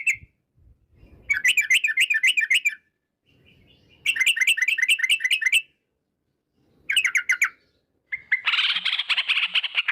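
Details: Sooty-headed bulbul long song played as a lure to get other bulbuls singing: three bursts of rapid, evenly repeated chattering notes separated by silences, ending in a harsher rushing noise.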